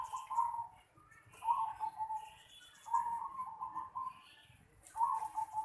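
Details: Zebra dove in the yard of a house: a string of rapid, rippling coo phrases, nearly unbroken, with faint higher chirps of another bird in the background.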